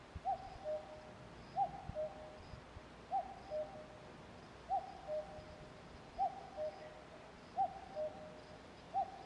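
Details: Steady series of about seven cuck-oo calls from a common cuckoo, each pair a higher note then a lower one, spaced about 1.5 seconds apart, with faint high chirps of other birds.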